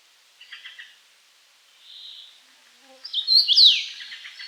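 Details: A common rosefinch gives one loud whistled phrase of slurred notes that swoops downward at the end, preceded by faint soft chirping from another bird in the background.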